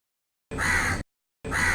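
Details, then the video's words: From a tree, a crow utters two rasping, drawn-out caws about a second apart, with nothing else audible between them. "crow call live from the tree"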